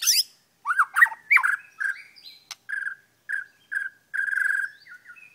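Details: White-rumped shama at Kota Aur, Sik, a short-tailed bird that sings on and on: a quick burst of varied whistles and chips, then clear, even whistled notes repeated about every half second, ending on a longer trilled note.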